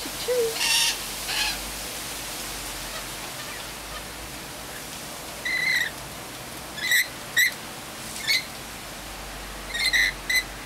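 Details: Wild rainbow lorikeets visiting a suburban spot in Sydney, Australia, in the afternoon: short, bright chirping calls, a cluster near the start, then scattered sharp single and paired notes between six and eleven seconds over a quiet background.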